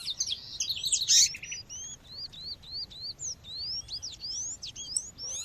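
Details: Female seedeater call to warm up males: a loud burst of chirps, then a run of clean, rising whistled notes, each under half a second apart, set against soft natural background birdsong.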